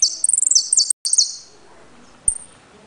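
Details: Jilguero, a caged saffron finch from Trenque Lauquen, rattles off quick high descending buzzy notes, broken by a brief dropout, ending with a lone sharp pip.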